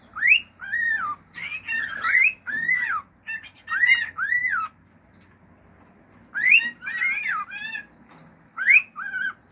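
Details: Singing male pet cockatiel mixing natural song, fiu-fiu whistles and clicks: many arched rising-falling whistles in rapid strings, some rough and squawky, with a pause midway.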